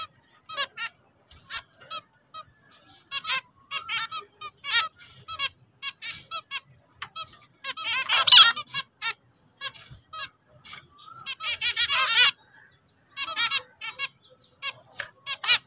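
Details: Zebra finch (Taeniopygia guttata), song.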